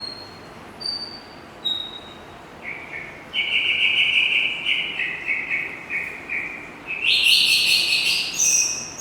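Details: Oriental magpie-robin whistling: thin high notes at first, then a run of short clear whistled phrases that step up into brighter, rapid high notes near the end, over steady background hiss.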